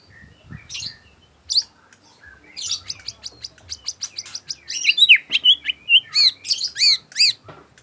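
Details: Afternoon song of a white-rumped shama: scattered high, sharp chips build into a lively sequence of quick whistled and slurred notes, ending in a few strong repeated phrases.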